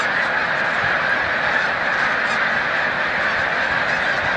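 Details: Snow geese near the height of migration at Montezuma, New York, 7 March 2022. Dense honking chorus from a very large flock, steady and unbroken throughout.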